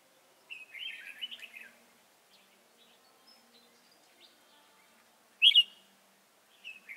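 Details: Red-whiskered bulbul singing as a trapping decoy: a warbled, chattering phrase early on, long quiet gap, then a single loud sharp note and a short final phrase.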